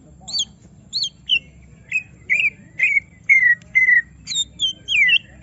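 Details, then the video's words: Greater green leafbird, provoked into full song: clear whistled notes spaced about half a second apart, many slurring downward, some rising at the end, given evenly over a faint low hum. "Semua Cucak Ijo Langsung Emosi Bongkar Isian mendengar suara Cucak Ijo lagi di Trek Emosi ini"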